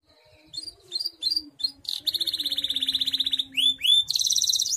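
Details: Canary song of a bird kept for singing competitions and as a tutor for other birds: scattered high notes building into a long rapid buzzy trill, then upswept whistles and a fast high rattle.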